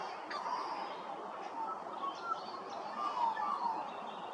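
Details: Australian magpie at Hervey Bay, Queensland, with short fluty whistled notes slurring downward, scattered through a noisy outdoor background with faint chirps.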